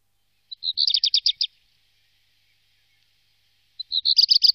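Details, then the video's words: Black redstart from the Wittlich valley, Germany, 2018, sings two identical short phrases about three seconds apart, each a rapid stuttering run of about eight sharp notes, with silence between. "Hausrotschwanz 1"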